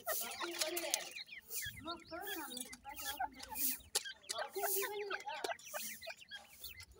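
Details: Grey francolin chicks chirping continuously, quick high slurred notes overlapping, with low voice-like tones and scratchy background noise.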